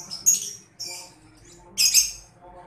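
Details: Shrill, scratchy chirps from a young lovebird, a sound played as a lure so lovebirds reply. Three high bursts with short gaps, the last one longer and fuller, against a quiet background.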